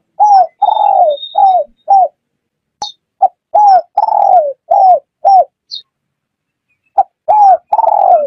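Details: Spotted dove cooing for use as a trapping lure: a series of mellow, slightly falling coos of varying length in uneven runs, with occasional faint high chirps in the background.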